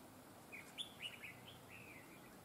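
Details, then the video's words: Trapping decoy red-whiskered bulbul with a fine, double linked song; a rapid sequence of bright warbled whistles, several quick slurred notes then a longer drawn-out whistle, over a soft noisy background. "Bẫy chào mào GIỌNG CỰC HAY CÓ GIỌNG KÉP NỐI"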